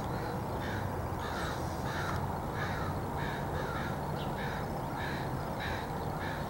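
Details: Several crows meeting in trees in a backyard on 29 July 2014 give a steady run of harsh, repeated caws, roughly two per second, over constant low-pitched background hum.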